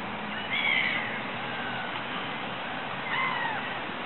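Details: Water rail in a ditch at Regent's Park, giving two squealing, cat-like calls about 2.5 seconds apart, each with stacked harmonics, over steady low traffic hum.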